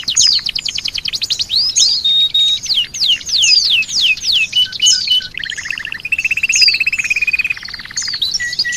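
An Oriental white-eye sings a fast, loud, jumbled stream of high, thin twitters and sweeping whistles, broken by short buzzy trills, with no other sounds.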